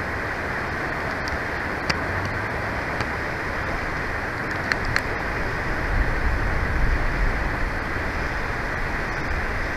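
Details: Dense, even rushing noise like wind or flowing water fills the recording, broken by a few faint ticks and clicks; no animal calls.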